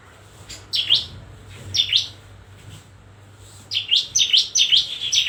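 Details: Bar-winged prinia giving high, sweeping chirps in short groups over a steady background hiss and low hum.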